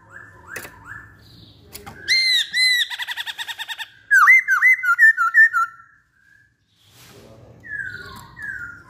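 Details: Masked laughingthrush in full song: rich arched whistles, then a fast rattling series of clipped notes, then swooping whistled phrases. The song stops for a silent pause before softer descending notes return.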